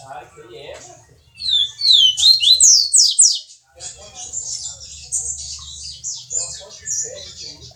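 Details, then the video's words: Viviti-style song of a double-collared seedeater from Jordânia, Minas Gerais, Brazil: soft chatter, then a loud quick run of sharp descending whistled notes, giving way to steady high buzzy twittering; low background hum. "Coleiro Som Do Povo-Canto Viviti"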